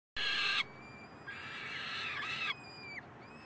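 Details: Peregrine falcon chicks in Columbus on 9 May 2015, begging while the resident male babysits, give two harsh, rasping screams: a loud half-second burst, then a longer, softer wail of about a second, a thin whine trailing after.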